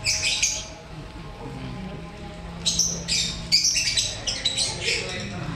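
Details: A colony of captive breeding lovebirds. A short burst of shrill squawking opens, then a pause, then a rapid, uneven run of sharp, piercing chatter from several birds.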